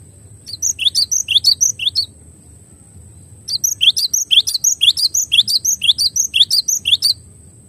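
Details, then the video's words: Cinereous tit known locally as glatik batu, clear tutoring song: two bursts of rapid high ringing double notes, about two per second, separated by a pause over a steady high-pitched hum. "MASTERAN JERNIH GLATIK BATU HANDAL"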